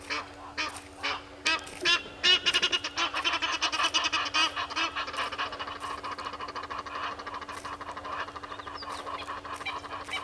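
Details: At a waterhole on Djuma Game Reserve in the Sabi Sand, South Africa, a red-billed hornbill forages by a tree on a July 2021 morning, giving a long series of clucks that speed up into a rapid, steady chatter.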